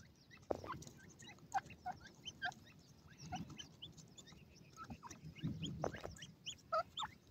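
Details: Grey francolin chicks during energetic play give soft, short chirps and peeps at scattered intervals, some in quick pairs, over faint background rustling.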